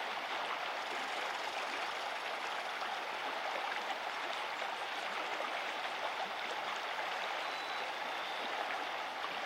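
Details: Steady rushing of a creek fills the recording, with a constant broad hiss of flowing water and no animal calls.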